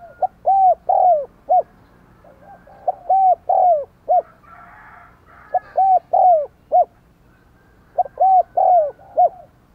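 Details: Spotted dove used as a decoy to draw wild doves, repeating its arched coo phrase about four times. Each phrase has short and long notes, with a brief rough noise between phrases.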